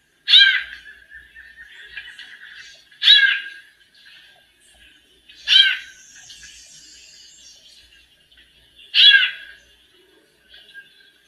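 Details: Female white-necked thrush singing like a male, kept to warm up other birds: four loud harmonic phrases spaced about three seconds apart, each a fast stacked burst, with softer twittering between them in a small room.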